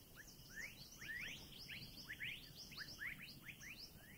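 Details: Scarlet Minivets in a Thai national park give quick, sweet upslurred whistles, several birds overlapping in a busy stream of rising notes over a soft hiss.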